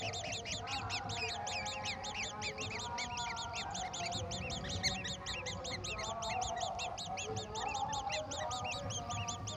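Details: Parent golden oriole feeding its chicks a mantis; many rapid, high chirps stack in parallel series throughout, a continuous excited twitter, with some lower tonal sounds and background rumble.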